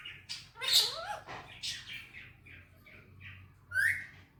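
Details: Male Indian ringneck parrot, a talking pet bird, speaking in Hindi/Urdu, words like "Mithu bete" and "Miya Mithu": short squawky, bendy syllables in bursts with a sharp whistled note near the end, quiet room.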